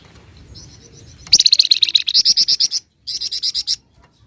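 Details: Flamboyan bird in full song, a dense, rapid 'nyecret' delivery: after faint soft notes, a fast burst of about twenty loud, sharp, high chips, a short pause, then a second quicker run of about ten.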